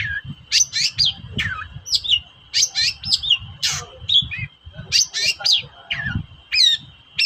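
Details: Long-tailed shrike (cendet) used as a lure to make reluctant shrikes sing: a varied, rapid series of sharp chirps, slurred whistles and harsh notes, with a steady high hum running underneath.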